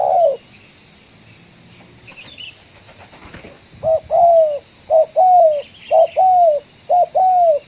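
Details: Spotted dove on a coffee-field trapping outing, ngeruk-style kuk 1 call. A flurry of wing flaps and rustling comes first, then quick paired coos follow about once a second: a short note and a longer falling one.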